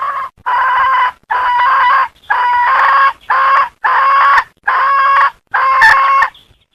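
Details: Hen giving a run of seven loud, harsh, buzzy calls, each about half a second long and spaced roughly one second apart, with a steady rhythm and a quiet background.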